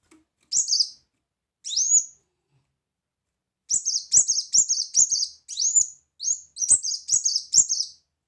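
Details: Brown-throated sunbird singing energetically in the loud 'tembakan' style: two separate high upslurred notes, then after a pause a rapid run of sharp, piercing chirps in two bursts. The setting is quiet.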